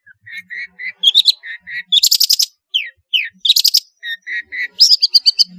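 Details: Long-tailed shrike in full, varied song, used as a lure to stimulate lazy shrikes: repeated short mid-pitched whistles, rapid harsh rasping pulse trains and quick upslurred notes alternating in lively phrases.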